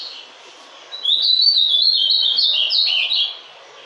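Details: A captive male ultramarine grosbeak, just coming out of moult, sings one quick, sweet warbled phrase of rising and falling whistled notes lasting about two seconds, over a faint steady hiss.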